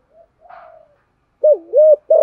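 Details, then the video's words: Spotted dove giving a stimulating coo for decoy birds: faint soft murmurs, then two loud hollow coos with a dip between and the start of another. "Thổ Sấm thúc gù gáy gọi dùng kích bổi cực đỉnh"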